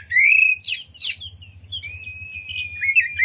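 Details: Oriental magpie-robin singing to provoke other magpie-robins: long, steady high whistles with two harsh rasping bursts between them, then a quieter flat whistle trailing into soft chirps.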